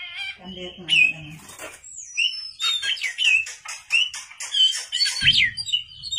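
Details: Oriental magpie-robin at night, a lure recording of lively song. Brief low voices and hum open, then clear varied whistles, sweeping notes and rapid chattering phrases dominate, ending with a low thump.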